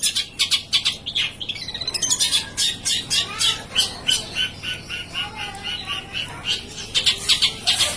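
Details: Caged long-tailed shrike singing steadily without stopping while its cage is turned about: loud, sharp, high chattering notes repeated rapidly, about three per second, with a faint lower note running beneath.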